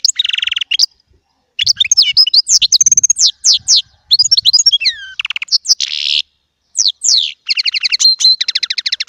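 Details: Small European goldfinch singing a long, rich medley: buzzy wheezes, liquid twitters, a falling whistled slur and rapid metallic trills with brief gaps between phrases.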